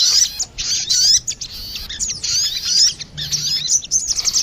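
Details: Crested jay, female answering male, recorded as a lure: choppy phrases of piercing, quick chirps and squeaks separated by brief gaps.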